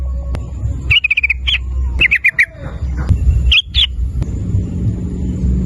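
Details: Lure recording of a sooty-headed bulbul to prompt calling: short, broken clusters of sharp clicking notes in a brief 'ropel' sequence, with gaps and a constant low-pitched hum underneath.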